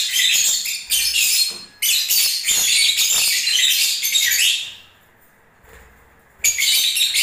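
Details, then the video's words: Lovebirds singing in the breeding season: nearly five seconds of continuous shrill, buzzy twittering chatter, a quiet pause, then another loud burst. "Love birds singing and movements"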